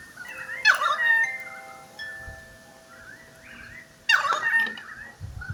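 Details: Pied currawong (Strepera graculina), call.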